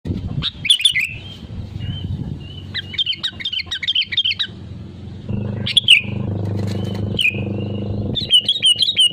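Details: Sooty-headed bulbul in full lively song, used as a lure to prompt other bulbuls to sing: bubbly, warbling phrases of quick rising and falling notes, separated by short pauses, over a low steady rumbling hum.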